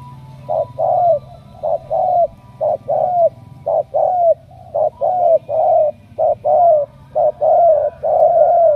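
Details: Repeated cooing of a spotted dove from Cà Mau, Vietnam. About a dozen two-part phrases, each a short note then a sliding, falling coo, come at a regular pace of around one per second.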